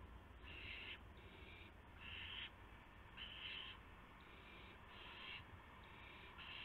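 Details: Owls feeding two owlets at the nest after midnight, 19 March 2016, bringing a gopher and mice; a run of rough, hissing screeches of uneven length and spacing, some softer than others, above steady low-frequency noise.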